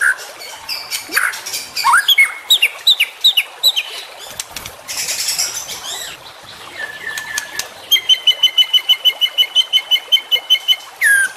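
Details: Juvenile white-rumped shama song used as tutoring material for songbirds: scattered chips and slurred whistles, a noisy burst, a level whistle, then a long even series of rapid, ringing high notes, about three per second.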